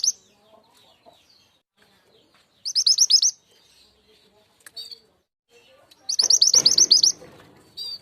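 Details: Wild Javan sunbird call played as a lure to attract wild birds: very high, thin chirps in rapid trills of about eight notes, two main bursts separated by quiet gaps, with short high chips between them.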